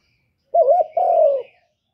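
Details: A single clear coo phrase from a spotted dove, recorded in 2023: a wavering, warbled first part runs into a long, slightly falling hollow coo.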